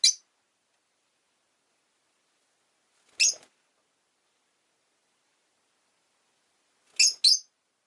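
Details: Rosy-faced lovebird uttering isolated, sharp, high chirps separated by long silences, ending with a quick double chirp.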